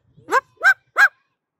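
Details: Pet Moluccan cockatoo at a playground, asked to say 'back back back', barks like a dog instead: three short, hoarse, honking barks spaced about a third of a second apart, with otherwise quiet surroundings.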